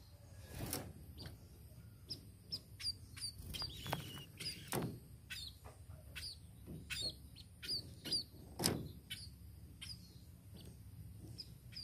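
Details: High, thin chirping from a tame sparrow, with notes coming in quick irregular bursts, mixed with sharp knocking and clicking sounds and a steady low hum.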